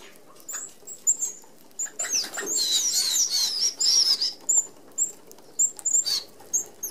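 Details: Australian native red-browed finches feeding as a flock at an open aviary feeder with small mesh: thin, very high short calls scattered throughout, with a burst of whirring wingbeats midway as the birds flutter in.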